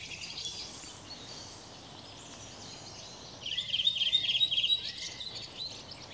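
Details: Redwing singing on 18 April 2021: after about three seconds of quiet background, a quick burst of repeated high, bright chirping notes runs for just over a second, followed by fainter twitters among other distant birds.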